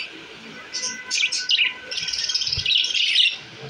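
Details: Caged budgerigars settling happily into a new cage give quick upslurred chirps that run into a steady, buzzy warble, with a faint low hum behind.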